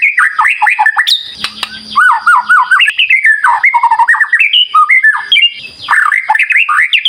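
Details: White-rumped shama singing vigorously to provoke other birds: a rapid sequence of looping, rising and falling whistled notes and harsh squawk-like phrases, delivered almost without pause.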